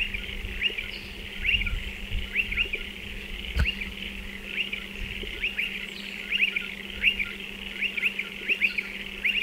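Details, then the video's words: Striated pardalotes at nesting burrows in a dry stone wall give a busy stream of sharp, high, upslurred chips, often in pairs and triplets, almost continuous. A single loud click near the middle and a low hum are also heard. "Striated Pardalote calls and behaviour"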